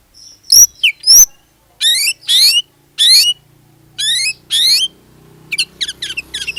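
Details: Oriental magpie-robin singing as a lure for other magpie-robins: sharp clicks and slurs, then repeated harsh descending buzzy notes in pairs, ending in rapid chattering whistles over a low hum.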